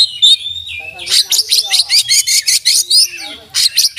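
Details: Oriental magpie-robin delivering mimicry-filled song: an opening clear whistle, then a steady run of loud, harsh pulsed notes about four per second, with a faint low slurred tone beneath.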